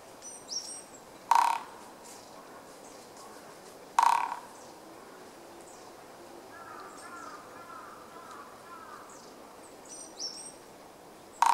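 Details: Japanese pygmy woodpecker drumming, recorded close on 8 March 2014: three short, sharp knocking bursts spaced several seconds apart, the drumming somewhat slow. Faint high chirps and twitters from other small birds come between them.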